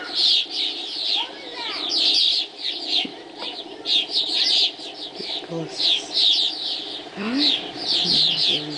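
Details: Swallows chattering together at dawn in flight: dense, overlapping high twittering chirps in irregular bursts, with a few lower, fainter notes underneath.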